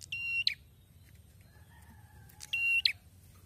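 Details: Prinia (prenjak kepala merah) back in full song after moulting: two phrases, each a level, nasal buzz held for about a third of a second and closed by an abrupt high chip, separated by a soft faint whistle.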